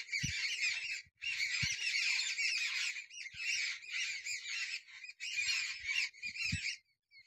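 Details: A group of jungle babblers playing in a tree in winter gives harsh, grating, overlapping chatter in long bursts of a second or more, with a few low knocks in the background.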